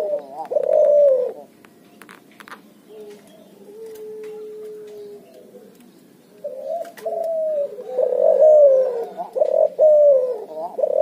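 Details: Cuhu hybrid dove from a Barbary dove and spotted dove cross, ngoar nguku calling: one loud low coo, a quiet stretch with a faint soft hum, then a rapid string of several rich, wavering coos.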